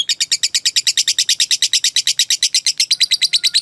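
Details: Caged lovebird in full ngekek trill, sound used to train or lure other lovebirds into long singing: steady, rapid chattering pulses, high and harsh, with a slight shift in tone near the end.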